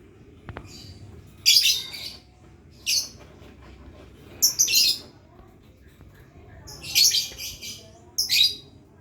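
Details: Lovebird learning to ngekek, the long trill. Scattered shrill squeaks and short harsh chirps rise over a steady low background hiss.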